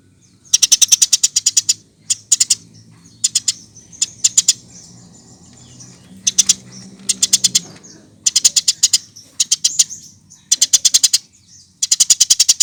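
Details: Eurasian tree sparrow chirping, used to prompt birds to sing: repeated bursts of fast, piercing chirps in trains of five to fifteen notes, spaced by short silences, over a faint low rumble.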